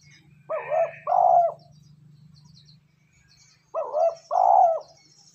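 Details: ['Lure call of a spotted dove for stimulating wild birds and training decoys: two paired coo phrases about three seconds apart, each a short soft note then a louder, held mellow note, over a faint low hum.']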